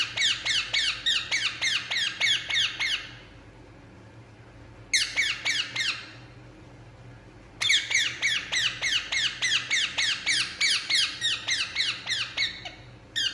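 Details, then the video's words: Indian ringneck parakeet, relaxing, delivers long rapid strings of shrill, descending squawks, about three or four per second, broken by two pauses of silence. "Indian Ringneck Parakeet Relaxing And Making Sound"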